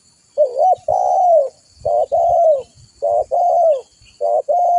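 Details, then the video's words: Repeated cooing of a spotted dove, used to lure and train birds. Four low phrases come steadily about every 1.3 seconds, each a brief buzzy note and then a longer drawn coo. Faint thumps sit beneath them. "Suara burung tekukur gacor buat Pikatan"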